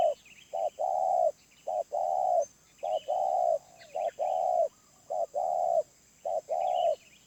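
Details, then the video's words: Wild spotted dove of medium-pitched voice repeating short-then-long coos in a regular rhythm, each long coo held and even; light chirps from small birds in the background. "Tekukur Liar // Suara Menengah // Penguku Habis"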